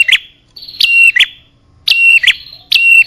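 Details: Bar-winged prinia lure call used to attract male and female birds: loud paired notes, a sharp drop into a steady high whistle, then a quick upturned chirp, repeated in bursts roughly every second, with a clean, quiet background.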